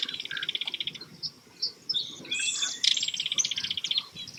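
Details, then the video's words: A Belted Kingfisher, seen from a kayak on the water, gives a loud, dry rattling chatter of rapid harsh notes in bursts of about a second, with other small birds chirping faintly. "Kingfisher chatter again"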